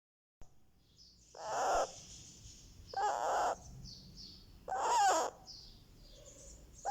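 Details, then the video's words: Indian ringneck parakeet chick, one month old, calling softly while receiving a head massage; broad, harsh rasping calls about every one and a half seconds, with faint higher chirps between. "Rex the Ringneck baby gets a Head Massage | Candy makes sweet sounds"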